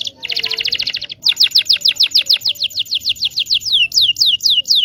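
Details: Local Indonesian canary song used to teach young canaries to sing: a fast rapid trill of high notes, then a run of clear downslurred whistles repeated about three times a second.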